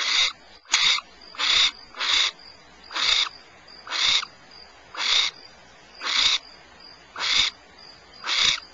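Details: Barn owl at Starr Ranch, California, giving harsh, breathy hisses, each short burst repeated roughly once a second in a steady series, with no other sounds.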